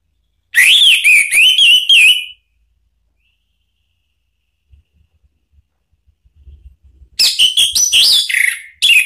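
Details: Bright whistled song of an orange-headed thrush, played to provoke a rival bird to sing back: a quick run of looping high notes, a long quiet gap with faint low rumbling, then a second sharp, more jumbled burst.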